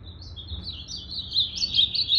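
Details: Blue-black grosbeak recorded on 8 September 2020, its tail still growing in and evening out; a short warbled phrase of high, sliding notes builds louder toward the end over faint low background hum.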